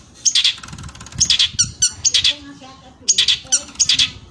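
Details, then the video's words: Long-tailed shrike of the Madura type, a kept songbird, in a recent 2023 tutor recording whose song is packed with mimicked fill-in phrases: harsh, scratchy bursts in quick clusters of two or three, with thin high whistled notes between. "Masteran Burung cendet Madura terbaru 2023 ...!!! full isian sekebon."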